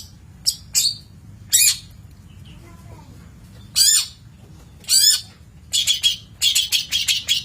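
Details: Long-tailed shrike, a master recording for training birds, giving harsh broadband squawks mixed with sharp downslurred notes, then a rapid run of short scratchy chattering notes near the end.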